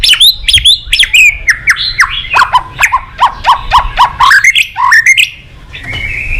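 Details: Vigorous white-rumped shama song with rich mimicry filling, used to rouse other shamas: a fast series of short, sharp downslurred whistles and clicky notes in a lively rhythm, ending in one steadier whistled phrase.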